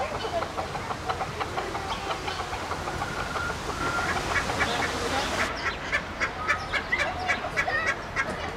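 Hens cluck in short, irregular bursts several times a second over a busy farmyard din, with a low rumble behind.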